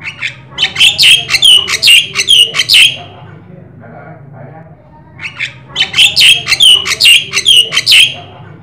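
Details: Black-winged starling singing strongly as a lure and master for other birds: two bursts of loud, rasping, whistled squawks, each repeated about twice a second, separated by a short quiet murmuring gap.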